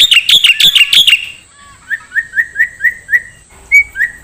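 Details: Black-winged starling singing on a songbird training recording: a short burst of harsh chattering notes, then a row of soft, clear downslurred whistles, about four a second.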